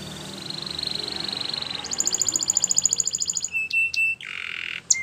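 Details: Spanish Timbrado canary training song, a fast even trill jumping to a higher ringing trill, followed by scattered sharp notes and a short harsh buzzy phrase, with low background hum.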